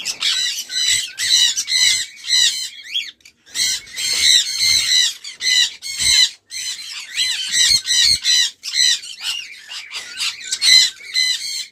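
Sun conure giving loud, harsh, high screeches in rapid, uneven bursts.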